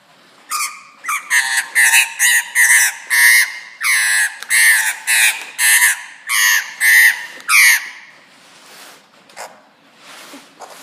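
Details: A pet Australian magpie attacking its owner's shoe gives a rapid run of about fifteen harsh, squawking calls, each under half a second, then falls quiet.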